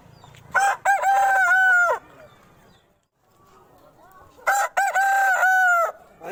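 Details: An Aseel rooster gives two long crows, each beginning with short choppy notes and then holding a strong, ringing, harmonic tone for over a second before cutting off, with a pause between them.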